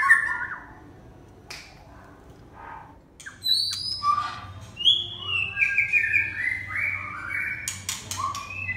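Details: Red-whiskered bulbul song that starts quiet, then turns into a run of bright whistled notes mixed with rough, squeaky slurs. A few sharp clicks can be heard in the background.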